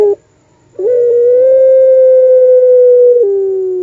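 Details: Puter pelung dove with a long-voiced song in the style locally called the wolf voice: a short opening note, a pause, then one steady, drawn-out hollow tone held for over two seconds, dropping slightly at the end.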